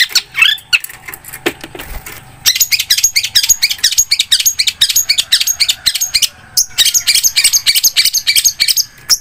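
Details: ['Long-tailed shrike in an energetic harsh outburst: a few short whistles, then a long, dense stream of scratchy, buzzy rasps and chatters, unbroken for several seconds.']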